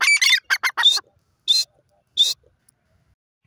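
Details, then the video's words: Desi teetar (grey francolin) calling: a loud burst of harsh, ringing notes, then two separate sharp, high notes about 0.7 seconds apart, with quiet gaps between. "my desi teetar bird ki beautifull awaaz"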